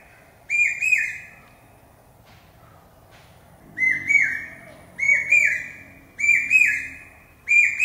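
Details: Common hawk-cuckoo, called the brain fever bird, repeating its shrill pi-peeah. Two phrases come first, then a pause with faint low murmurs. After that, five more phrases follow in steady succession, roughly one per second.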